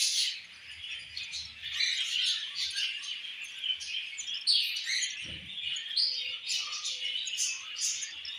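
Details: Budgerigar mother feeding a baby budgie in captivity; busy stream of high, scratchy chirps and warbles, several voices overlapping, with a brief low thump near the middle.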